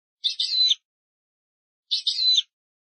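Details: European goldfinch, an old recording of the original goldfinch song style: two short buzzy, twittering high phrases about 1.6 seconds apart, separated by silence.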